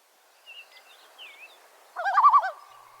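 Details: Tremolo of a Common Loon, a waterbird of Northern lakes, a call usually used as an alarm: faint high chirps from small birds at first, then a loud, quick quavering burst of pulsing, laugh-like notes.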